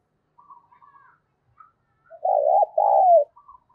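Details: Decoy spotted dove cooing to draw wild doves into answering, thổ-voice style: faint thin chirps, then one loud two-part coo, a short throaty note followed by a longer descending one.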